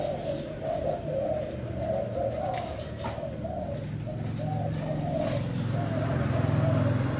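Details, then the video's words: Low, rounded cooing from a Thai-strain black-spotted spotted dove of the seven-note style, phrases pulsing in quick succession over a steady low-pitched background drone. "Cu gáy thái bông đen 7 sị"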